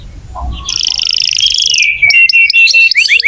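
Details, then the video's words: Canary song used to encourage young canaries or birds that have stopped singing: a sustained rapid buzzy trill followed by quick chipping notes and falling whistled slurs. "Kenari gacor untuk pancingan kenari muda atau macet bunyi"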